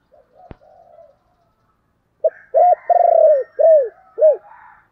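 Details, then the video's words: Decoy spotted dove giving its thúc and calling coos to lure wild doves: soft faint murmurs, then a burst of five loud, low coos, the middle one longer and pulsed, the others short and arched. "Chim Cu Mồi Thúc và gáy gọi"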